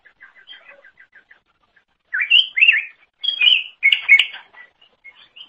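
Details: Greater green leafbird (cucak ijo) song for training other songbirds: a quiet series of evenly spaced short chirps, then loud rising whistled notes and rich warbled phrases.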